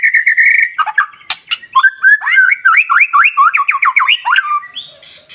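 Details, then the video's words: Morning song of a white-rumped shama used as a lure for other birds: a steady buzzy note, clicks, then a quick run of repeated looping whistled notes. "Pancingan Murai Batu Paling Ampuh Bikin Burung Lain Meledak Bunyi"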